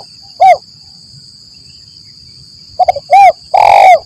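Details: Spotted dove lure recording of the 'lambung kuk 1 mersik' style, used to draw wild doves when trapping in forest: a lone clipped coo, a pause, then short stuttering notes leading into two rolling mid-pitched coos, over a steady high insect drone.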